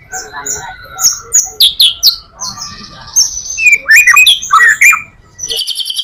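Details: White-rumped shama song as a lure for other shamas: varied rich phrases mixing low whistles, sharp upward sweeps and buzzy high notes, delivered in quick bursts with short pauses.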